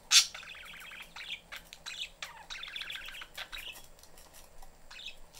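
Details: Budgerigar family kept as pets in a cage, mother busy, young seeking attention: a sharp loud squawk opens a run of rapid, rattly warbled chatter and scattered clicks.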